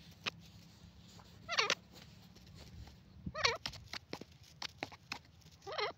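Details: Grey francolin giving three short wavering harmonic notes spaced a couple of seconds apart. Frequent clicks and knocks sound between them over a steady low hum.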